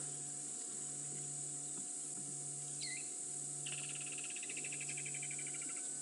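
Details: A Pearl-spotted Owlet calls in the background during an afternoon game drive at Djuma Game Reserve, South Africa, on 3 December 2016, near resting lions. It gives one hooked whistle, then a quick run of short, evenly spaced whistled notes over a steady, high insect drone.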